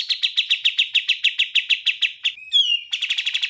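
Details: Rapid repeated chipping trill of a bar-winged prinia, about six notes a second, interrupted by a brief descending slurred whistle before the trill resumes; clear training recording.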